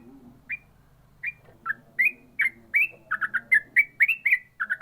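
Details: Yellow-vented bulbul singing in the ropel style: short bright whistled notes, spaced at first, then quickening after three seconds into tight clusters of rapid chirps, over a faint low background hum.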